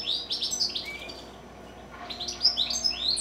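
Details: Pet goldfinches singing in the evening, after singing all day: a bright, tumbling run of high twittering notes and quick rising slurs, pausing briefly before another burst.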